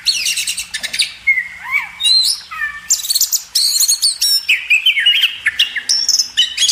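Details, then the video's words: Magpie robin song for training caged birds: a dense, varied stream of bright whistles, downslurred notes and quick buzzy trills, almost without pause. "masteran burung kacer"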